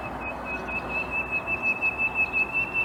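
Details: Common nightingale singing near Bursa, Turkey, on 14 April 2021: a steady string of rapid, evenly pulsed notes on one high pitch, repeated without a break, over a constant low hum.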